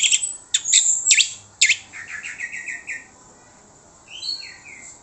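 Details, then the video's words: Orange-headed thrush song used to lure other birds into answering: loud harsh, scratchy bursts followed by a run of falling whistled notes and a softer whistled phrase. "PANCINGAN ANIS MERAH MANTAP YANG LAIN LANGSUNG NYAUT"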